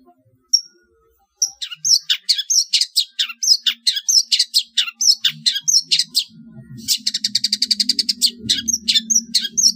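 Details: Long-tailed shrike masteran song used to train competition birds: varied chirpy high notes in quick succession, then a fast buzzy trill, over a faint low hum.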